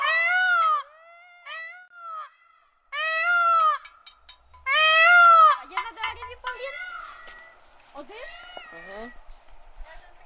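A peacock gives three loud, nasal, wailing calls a few seconds apart. Softer, shorter calls and scattered clicks follow.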